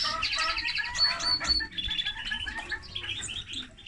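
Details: Common linnet x canary hybrid singing a fast, twittering song of rapid repeated notes and short trills, mostly high-pitched, with a soft low rumble underneath.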